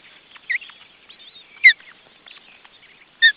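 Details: Ospreys in family life at their nest in June 2012: three loud, sharp whistled chirps at about half a second, 1.7 and 3.2 seconds, with fainter soft chatter and squeaks between them.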